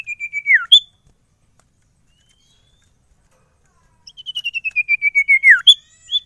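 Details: Sirtu bird described as stress-free and singing readily wherever it is taken: a fast rattling series of high whistled pips that slides down at the end, a pause, then a longer pip series ending in another falling slur and a short flourish.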